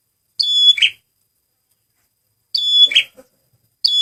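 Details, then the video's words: Male red prinia (prenjak merah) on a lure recording: high piping whistles ending in rough buzzes, repeated about every two seconds, with a faint soft chip after the second phrase. "SUARA BURUNG PRENJAK MERAH PEMIKAT GACORRR"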